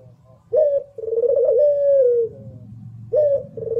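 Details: Barbary dove of the puter pelung contest type coos once fully, with a rising short note then a long pulsing, gently falling coo, before the next phrase begins over a low hum.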